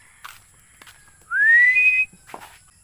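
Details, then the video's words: Single long Philippine eagle whistle at dawn, as the bird waits for breakfast: a clear note climbing steadily upward for almost a second, framed by faint rustles and footsteps. "BAGWIS, mag aalmusal na ginising ako ng maaga ll Philippine Eagle"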